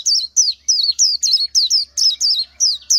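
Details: Quick series of high, sliding, downward-curving notes from an Oriental white-eye, evenly repeated about three times a second over a faint low hum.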